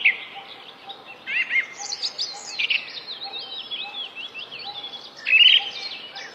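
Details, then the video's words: Bird in song delivering a continuous run of rapid, varied chirps and squeaky slurred whistles, with a louder, sharper burst near the end; a soft low hum runs underneath. "Singing bird"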